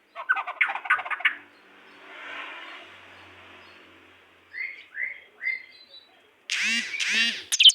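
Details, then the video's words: A pair of white-rumped shamas, with scratchy chattering bursts, then three short upslurred whistles spaced half a second apart, ending in loud harsh rasping notes. "sepasang murai blorok gacor"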